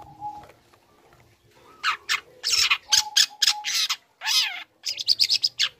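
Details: Young long-tailed shrike singing as provocation for other shrikes: after a quiet start, a burst of harsh grating notes and sharp high chips, ending in rapid repeated high squeaks, with a faint level whistle behind.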